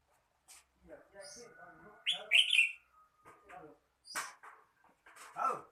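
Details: Red-whiskered bulbul giving one short, loud, twisting whistled phrase amid scattered softer chirps, clicks and background noises.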